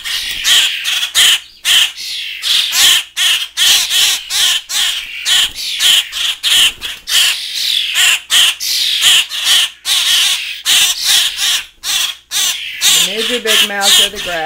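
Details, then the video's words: Hand-reared fledgling common grackles, grown but still demanding hand feeding, beg with harsh, raspy squawks several times a second alongside young starlings in a chaotic feeding frenzy; a brief lower wavering tone comes near the end. "Fledgling Grackle and Starling Feeding Frenzy"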